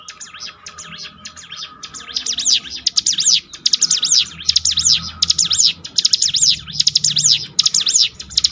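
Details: Bar-winged prinia song used for training birds to rebuild mental strength: faint chatter for two seconds, then loud rapid bursts of high, arched, twittering notes repeated in quick series over a steady faint tonal hum.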